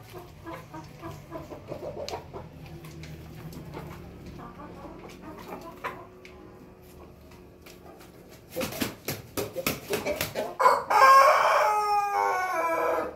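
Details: Pelung chicken: faint clucks over a quiet hum, then a burst of flapping noise and one loud, harmonic crow held steady for the last two and a half seconds.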